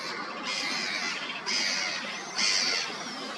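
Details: Black-headed gulls on a lake in Udmurtia, Russia, on 2 August 2024 give harsh, grating squawks, several overlapping in quick succession, against a steady hiss of background calls; little grebe-type waterbirds such as black-necked grebe, moorhen, coot, mallard and teal are present.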